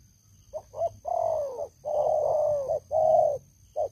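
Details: Veteran decoy spotted dove with a big voice, kept for luring wild doves. Two brief clipped notes lead into long, throaty, slightly falling coos, each held about half a second or more, then a short final note.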